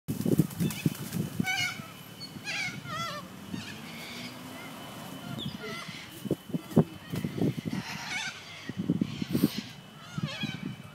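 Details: Hundreds of corellas in park trees in a suburban neighbourhood keeping up a din of overlapping harsh squawks and screeches, with throaty, honking notes running underneath.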